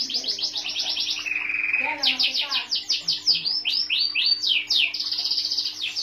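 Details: A white canary sings a fast, high, continuous warble of rapid trills and rolling phrases, the notes repeated in quick bursts with scarcely a pause.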